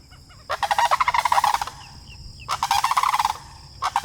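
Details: Sandhill cranes on a landing strip give loud, rolling, rattling bugles in two long bursts, each over a second, with a faint steady hum in the background.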